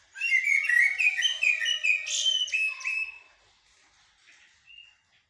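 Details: Blackbird (jahmoumia) singing blacksmith and military style song, a rapid three-second string of clear whistled notes that rise and fall in quick succession, then fading to soft faint calls.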